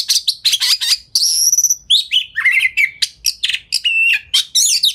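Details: White-rumped shama (kacer) singing a fast, tightly packed lure song to provoke other shamas into responding; quick bursts of high chirps, a sustained bright whistle and descending slurred notes in rapid succession.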